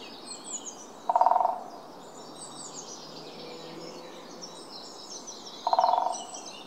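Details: Great spotted woodpecker (Dendrocopos major pinetorum): two brief, rapid rattling bursts about four and a half seconds apart, each fading quickly; faint songbirds chatter high in the background.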